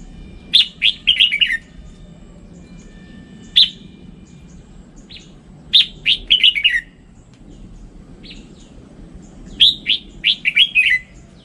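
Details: Red-whiskered bulbul repeating its cheerful warbled phrase three times, each a quick run of four or five whistled notes falling in pitch, with single sharp chirps between phrases; low background rumble.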